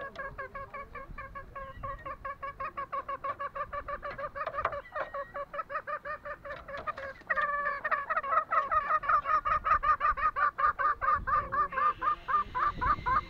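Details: Green junglefowl on Lombok: long rolling series of rapid nasal notes, softer at first, then louder and strongly pulsed after about seven seconds, ending with faint hiss.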